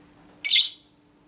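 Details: Female lovebird in a training recording meant to provoke other lovebirds, ngekek style called konslet minor: one harsh, rasping, high screech lasting about a third of a second, with a faint steady hum behind it.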